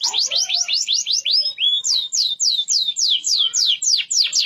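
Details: Deep-yellow canary in full song with a long roll: a series of quick descending whistled sweeps, about three per second, with a short flat whistle midway before the sweeping phrases continue.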